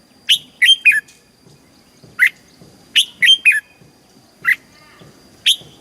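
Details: Red-whiskered bulbul in a cage in Thailand, its southern master-style song played to excite birds and coach chicks; short groups of two or three bright notes alternating with single sharp chirps, spaced about a second apart.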